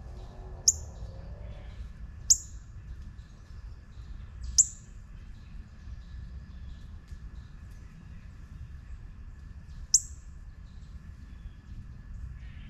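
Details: Juvenile northern cardinal giving four sharp, high, downward-slurred chip notes at uneven intervals, three close together then one after a long pause, over a low steady rumble and a faint constant hum.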